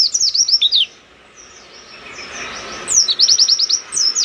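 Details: An Oriental white-eye in energetic, open-beaked song used as a tutor recording gives rapid bursts of high, thin, slurred chirps in quick runs, with a brief lull before another fast twittering phrase.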